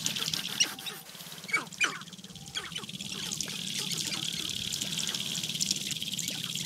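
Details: Spring lek of wild Sharp-tailed Grouse, Namekagon Barrens, Wisconsin, males competing for dancing areas and displaying to hens; quick bursts of clipped, squawky clucks early on, then a continuous low rapid pulsing under a constant high-pitched hiss.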